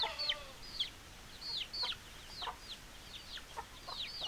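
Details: Chickens giving high, sharply falling chirps in quick irregular succession, each a brief bright slur; a faint lower warble starts the sequence, with no other clear sounds.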